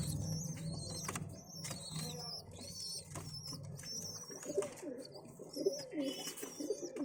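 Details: Pigeon squabs begging during feeding: a string of high, thin squeals, then low bubbling coos and wing rustles in the second half.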